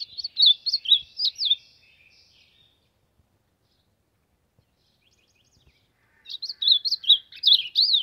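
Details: Two bursts of lively whistled song from an ultramarine grosbeak warming up, each a rapid chain of looping, slurred notes, separated by several seconds of quiet.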